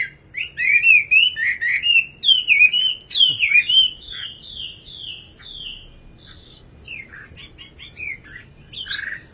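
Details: Nightingale pouring out rapid loud whistled chirps, about four a second, then fading into softer, more scattered notes toward the end.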